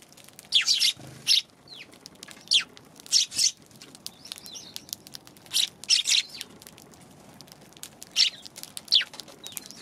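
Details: Sparse chirps from Eurasian tree sparrows on January 11, single or paired harsh notes every second or two, with some fainter calls in the background.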